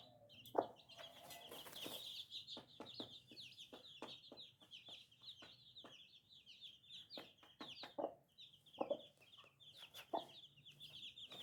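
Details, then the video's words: Brood of little baby chicks keeps up a constant stream of high, piercing peeps, each short and downslurred. Crisp tapping clicks recur irregularly, and a few louder mid-pitched squawks come near the start and later. "Chicken Free Sound || Funny Chicks baby"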